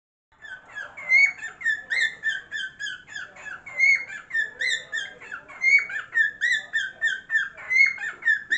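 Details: Pet cockatiel singing indoors while a person sings: a rapid run of clear, harmonic-rich chirps and short whistled notes, roughly three to four per second, with occasional brighter upslurred whistles standing out.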